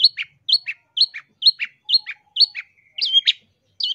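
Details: Masteran recording of a long-tailed shrike for training caged birds and luring: a two-part squeaky note, high then lower, repeated about twice per second, followed by a longer rising whistle and more slurred notes.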